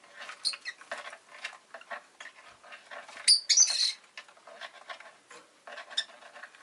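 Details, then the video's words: A Rosy-faced lovebird (Agapornis roseicollis) gives soft, scratchy high chirps, then a louder burst of shrill squeaks partway through. Street noise such as car and motorbike engines may be present. "Lovebird Chirping Sounds"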